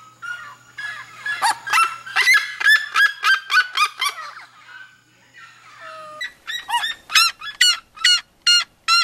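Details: Red-legged seriema song building from scattered notes into rapid loud yelps, breaking off briefly, then bursting into another fast yelping series.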